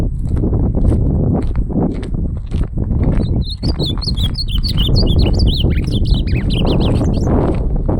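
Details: Ultramarine grosbeak singing during a song contest (campeada); a sweet warbled phrase of quick rising and falling whistled notes fills the middle seconds, half-buried under a heavy low rumble and handling noise.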